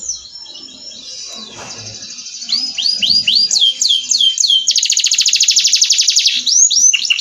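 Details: Canary master song: a high rolling trill, then a run of clear swooping whistles about four per second, a loud dense buzzy trill, and closing swooped notes.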